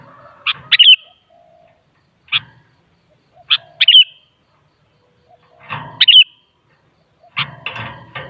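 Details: Sooty-headed bulbul (kutilang) song used to coax another kutilang into singing: short bubbly phrases of liquid notes repeated every second or two, mixed with low rustling clatter and scattered clicks.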